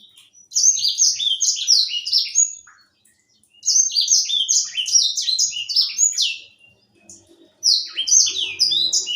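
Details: Young grey singing finch, a seed-eating African songbird: bursts of high, sweet, slurred whistles falling in pitch, delivered in rapid runs of about three seconds separated by short pauses, with faint low background noise.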